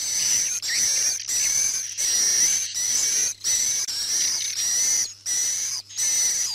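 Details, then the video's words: Swiftlet calls from the indoor night lure used in a swiftlet house. Repeated high, hissing twitter bursts, each about half a second to a second long, with a steady thin whistle on top and short silent gaps between. "Tiếng Chim Yến Chất Lượng Cao - Âm RU ĐÊM Cho Nhà Yến"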